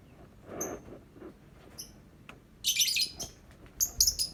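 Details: Lovebird song of thin high tweets building into loud, harsh, buzzy chattering bursts, with faint low background noise.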